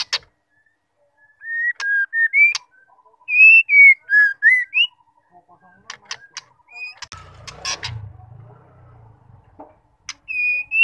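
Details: Female White-rumped shama call used to stir males into singing and bringing out their repertoire. Pure whistled notes rise and fall in short slurs, some sharp clicks between them, and a low rumbling noise midway.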